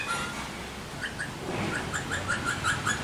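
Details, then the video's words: Alexandrine parakeets making cute sounds: a run of short, mid-pitched chirps, about four a second, over a steady indoor background hum. "Alexandrine Parrots Making Cute Sounds"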